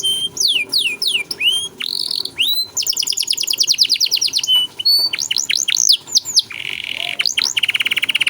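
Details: Canary in vigorous 'cengkok mewah' song meant for tutoring young songbirds: fast downward-sweeping whistles, then a long rapid rattling trill, more slurred notes and a steady buzzy roll at the end.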